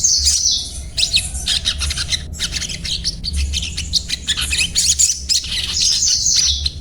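A Crimson Sunbird keeps up a rapid, high-pitched twitter of thin chirps and trills over a low steady hum.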